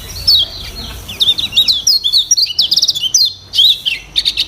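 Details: Training song of a lemon-bellied white-eye rich in varied borrowed sounds: thin high chirps and slurred whistles in rapid clusters, separated by short pauses.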